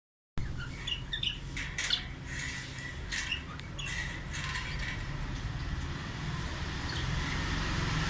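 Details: Budgerigar (Melopsittacus undulatus) being hand-tamed with offered mint leaves gives short, bright chirps and squawks over a steady low rumble.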